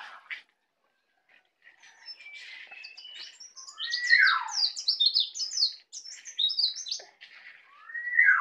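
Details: A native Bali white-eye in the early stage of learning ngeplong, giving quiet warbling that swells into rapid high twittering, with downslurred whistles woven through and another slurred note at the close.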